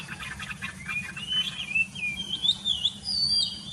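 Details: Morning birdsong: a rapid series of short chirps leading into a flowing run of whistled, sliding notes that climb higher toward the end, above a faint low hum.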